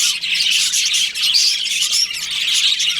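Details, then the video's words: Breeding-season budgies in a colony, a steady wall of bright overlapping chirps, warbles and thin whistled notes with no pauses. "Cute budgies chirping sounds"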